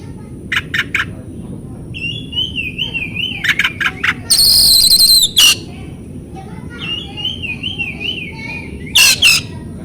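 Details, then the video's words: Lure song of an oriental magpie-robin meant to stimulate mute birds: short buzzy triplets, a zigzagging whistled phrase, a long harsh grating burst, then another wavering whistle and closing rasp. "PANCINGAN BURUNG KACER cocok buat kacer bisu kacer macet bunyi kacer stres LANGSUNG NYAUT.!!!"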